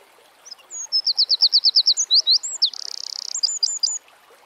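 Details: Eurasian wren, loud and shrill, rattling off a quick chain of high notes, a few looping slurs, a long buzzing trill and a final burst of clipped chirps.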